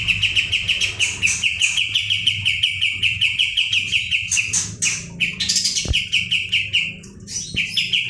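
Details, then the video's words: Caged Pied Triller (kapas tembak) singing in 'ngebren' rolling style: long fast string of bright, evenly repeated notes, then scratchy buzzy bursts and a second rapid row; faint low hum in the background. "kapas tembak gacor roll ngebrn nembak"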